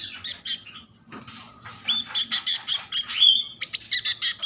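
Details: Common iora singing constantly as a lure meant to stir breeding mood and make other ioras call: quick runs of high chirps speed up into a dense, twittering burst of sharp notes over a faint low hum.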